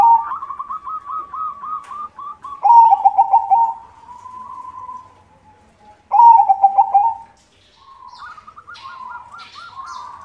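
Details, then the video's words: Actively singing white zebra dove, meant to lure other zebra doves: a rapid chain of bubbling coo notes, then two loud rolling phrases separated by quieter cooing, and a fainter trill at the close. "SUARA PERKUTUT PUTIH GACOR irama bagus, untuk pancingan semua jenis perkutut"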